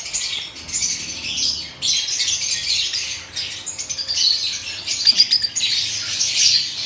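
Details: A breeding pair of Fischer's lovebirds giving shrill, scratchy chatter in overlapping bursts, with a few sharp squeaks and what sounds like wing flutters.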